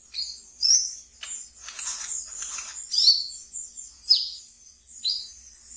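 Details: Kept brown-throated sunbird in ngeriwik song for luring new birds: high squeaky chirps mixed with scratchy, buzzing chatter, rising and falling in loose bursts.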